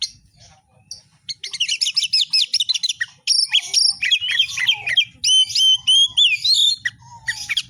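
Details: Oriental magpie-robin in full 'fighter' song: after a quiet start, rapid trilled phrases and clear sliding whistles tumble out in quick succession, interspersed with harsh buzzy notes.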